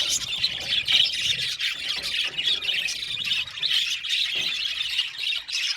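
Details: Budgerigars in an aviary colony chattering together, a dense, unbroken wash of high squeaky chirps and warbles overlapping throughout, with faint low rumbling underneath.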